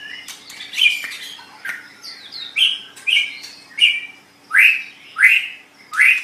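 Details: Training recording of a white-rumped shama for pet songbirds: a series of emphatic rising whistled notes, repeated roughly every two-thirds of a second, growing louder toward the end.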